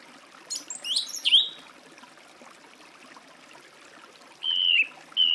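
A song thrush sings a quick burst of varied, rising notes, then a clear, slightly falling whistle after a pause. A soft, steady wash like running water runs underneath.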